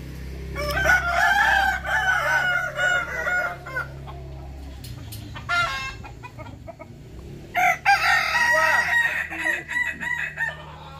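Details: Kukuak Balenggek roosters at a practice crowing contest in Sawahlunto. Several long stepped crows overlap in bursts separated by short pauses, with wavering, undulating notes and a constant low hum beneath.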